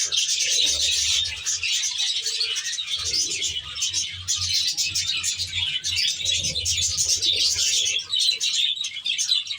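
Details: Aviary flock of Australian budgerigars giving a steady wall of fast, high twittering and scratchy warbles from many birds at once, with brief low murmuring hum passages beneath the chatter.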